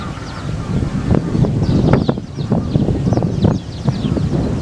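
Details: Big flock of wild Eurasian tree sparrows in a wildlife sanctuary in Japan, blown about by strong wind; clusters of quick high chirps rise and fall against steady rumbling wind.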